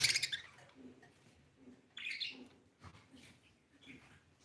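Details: Blue budgerigar kept as a pet, giving bright, sharp chirps in a burst at the start, then a shorter scratchy chirp near two seconds and faint twitters after, with quiet low background sounds.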